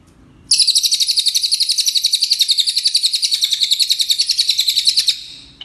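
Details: Energetic brown cililin song used as a training recording for songbirds, one sustained high-pitched trill of fast, evenly pulsed chattering notes running about four and a half seconds before stopping abruptly, with quiet background.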